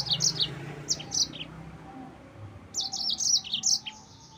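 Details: Yellow-fronted canary in lively song for provoking rival birds: scattered high chirps and short trilled phrases, then a busy burst of rapid sharp notes.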